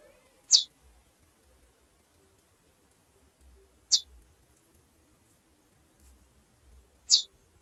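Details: Three brief, piercing high chips from a female chestnut-bellied seed finch, evenly spaced about every three seconds, with quiet surroundings and faint low hum.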